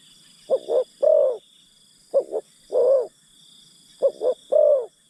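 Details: Spotted dove decoy calling to wild birds, three evenly spaced phrases of two quick notes and a long mellow falling coo, about every 1.7 seconds, over a thin steady high hum.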